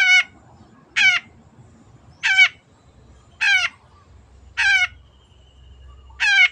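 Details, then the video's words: Long-tailed shrike singing at full volume, kept as a songbird. Harsh, nasal, harmonic-rich notes with a downward slur are repeated about once a second. The background is quiet. "MASTERAN BURUNG CENDET GACOR"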